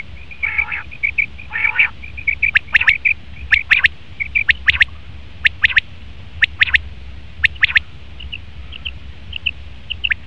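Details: Male common quail giving rapid clipped notes in pairs and triplets, mixed with a thin run of short high dotted notes and a few buzzier harmonic calls early on.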